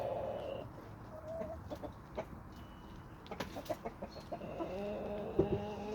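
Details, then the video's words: Homestead flock of chickens and roosters: nasal drawn calls at the start and end, with irregular soft clucks and short clicks between, roughly three a second, over low rumble. "Homestead Chickens & Roosters"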